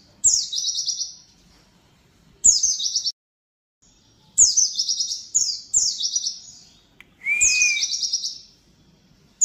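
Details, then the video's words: Oriental white-eye giving fast, high, twittering phrases of rapid descending notes, each about a second long, in bursts every one to two seconds; nothing else audible. "NANTI PLECI NYA BISA GACOR"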